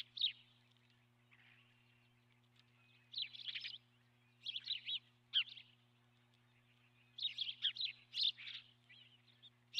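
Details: Osprey calling from its nest on a nest camera, 12 March 2016 around 09:18; clustered series of high, shrill chirps in short bursts separated by pauses of a second or two, over a faint low hum.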